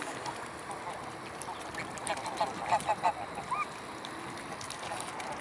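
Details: Mute swans massed at the Blaues Wunder on an afternoon in late May 2016; a quick run of four or five short nasal honks, then a rising drawn-out call, over constant hissing water noise.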